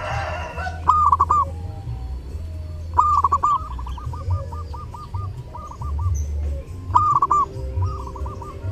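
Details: Zebra dove (perkutut) singing during Lebaran, three bursts of rapid rolling coos, a quick trilled run followed by a string of short repeated notes, with steady low hum and rumble beneath.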